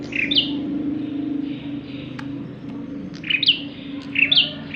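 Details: Bar-winged prinia, a chatty bird suited to luring others, giving short buzzy high chirps in small clusters with a gap in the middle, over a steady low background hum.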